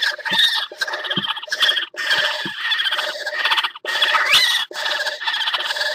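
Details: Northern goshawk pair mating at the nest on a water tower ledge, 5 February 2018; loud harsh chattering calls in rapid bursts with brief pauses, nasal and rasping, repeated continuously.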